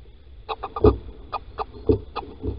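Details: At Holten on 16 March 2020, mid-morning, a female Little owl scrapes out a nest hollow as the male calls. Short clucking notes come in loose groups, mixed with dull low thumps and scratching.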